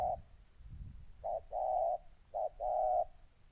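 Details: Spotted dove decoy, molting, challenging a fierce wild dove, Gia Lai, Vietnam, 14 August 2020: clear repeated coo pairs, each a short note followed by a longer even hoot, about a second apart, low background rustle.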